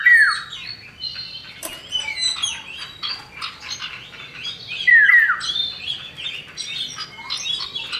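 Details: Common iora pair, male and female, singing to draw out other birds: dense chattering and trilled notes with two sharp down-slurred whistles near the start and middle.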